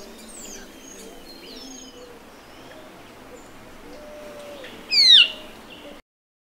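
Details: Band-tailed manakin from Brazil giving a single loud, steeply falling, buzzy call late in the clip, after several seconds of distant high whistles and chirps from other forest birds.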